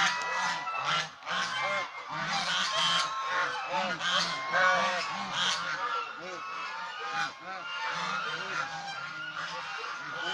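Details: Many domestic Chinese swan geese honk together in a busy, rapid, overlapping clamour of short nasal calls, roughly two a second, with a little background noise.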